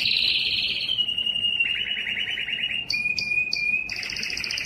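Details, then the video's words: Singing yellow canary delivering sustained rolling trills that step down in pitch, then a thin steady whistle interrupted by short high bursts, ending in a fast bubbling trill; a low steady hum sits underneath. "yellow canary singing"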